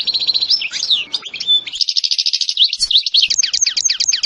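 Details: Goldfinch song, European species: quick tinkling twitters and slurred notes flowing into a dense rapid trill, then a run of sharp descending chips repeated about four times a second.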